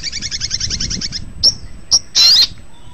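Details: Long-tailed shrike tutor recording for training songbirds: a quick even series of about twelve high clipped notes, followed by two short sharp squeaks and a harsh rasping burst.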